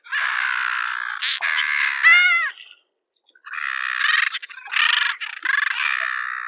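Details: Bridled tern uttering long, harsh, rasping calls, with a brief sharper note and a wavering, nasal rising-falling call near the middle, then a pause and more grating drawn-out calls.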